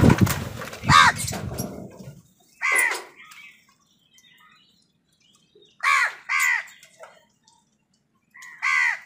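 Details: Crows fighting wild birds for food give harsh, hoarse caws, single and in quick pairs, spaced several seconds apart with quiet gaps between.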